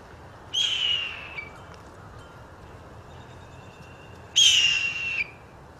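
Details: A Blue Jay gives two loud, harsh, downslurred screams about four seconds apart, imitating a hawk, over a faint hiss. Woodpeckers and crows are in the background.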